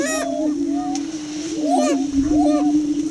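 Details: A young, subdominant male greater prairie chicken displaying at the edge of a lek, Tympanuchus Wildlife Management Area east of Crookston, Minnesota: a low, steady moaning drone under sharper rising and falling whooping cackles, about once a second.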